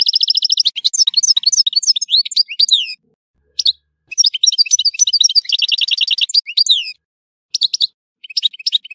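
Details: European goldfinch singing in Tissemsilt, a fast, high, liquid twittering song opening with a rapid trill, broken by short pauses and resuming in tinkling, buzzy phrases.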